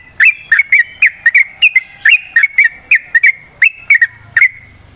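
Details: Singing yellow-vented bulbul in natural surroundings, used to lure other birds: liquid whistled notes, often in quick pairs, rising and falling slightly, in a steady lively stream.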